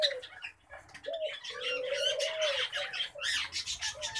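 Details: Pet common babblers give busy, overlapping squeaky chatter and trills, with a low, steady hooting tone running underneath for about a second.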